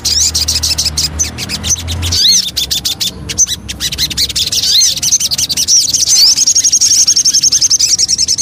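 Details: Javan cochoa lure song: high, rapid chattering trill with upswept whistled notes, building into a fast, steady, even trill near the end, with clicking sounds throughout.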